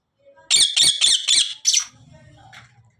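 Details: Pet cockatiel uttering a rapid series of five rasping squawks, followed by a soft low hum in a quiet room.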